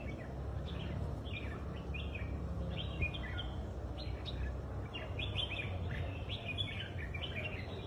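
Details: Red-whiskered bulbul singing at a stand competition, in the rousing style called kích ché: a steady run of short, bright, whistled phrases, some rising or slurred, over a constant low rumble of background noise.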